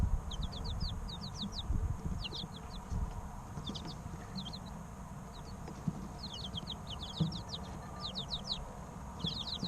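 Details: Three-week-old chicks chirping in scattered bursts: quick clusters of thin, high, down-slurred peeps separated by quieter gaps, over a low continuous rumble.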